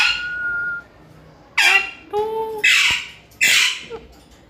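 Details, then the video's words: A steady whistled tone from a pet parrot gives way to three loud rasping squawks, with a lower whistled note between them. "cutte sound parrot 🦜 Natural mitthu voice"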